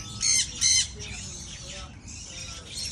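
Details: A baby macaw at brunch with a companion gives two loud, harsh, rasping squawks in quick succession, followed by softer scratchy calls and faint rustling.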